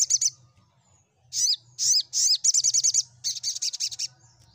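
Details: Olive-backed sunbird song played to make silent sunbirds answer and sing: high, thin chirps, each with a sharp downward sweep. One short burst opens, then after a pause come single notes and fast runs of rapid trilled notes. A faint low hum sits underneath.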